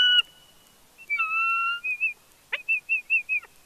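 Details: Bald eagle at its Big Bear nest on a live cam: a clear held whistle, then a series of about five short, evenly spaced whistled chirps at a high pitch, with a sharp click in between.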